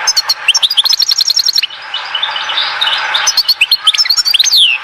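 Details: European goldfinch from Oued Zhour, Skikda, delivering fast, jangling twitters and high slurred whistles, interrupted midway by a stretch of softer rustling background before the song resumes.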